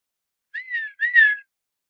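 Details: Quiet whistling call of a male Redhead duck courting a female while swimming at Fort Erie, Ontario, Canada: two linked drawn-out whistles, the second louder, each gently rising then sliding down.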